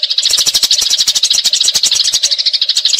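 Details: Fighting Eurasian tree sparrow in a long rolling chatter used to tutor magpie robins: unbroken, fast, scratchy chirping for three seconds, notes tightly packed and shrill, with a low steady hum beneath.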